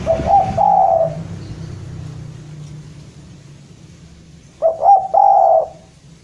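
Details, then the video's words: Spotted dove from Java calling a rival: two hoarse cooing phrases, one at the start and one near the end, each with quick opening notes and a long final coo, over a steady low hum. "Derkuku jawa gacor memanggil lawan"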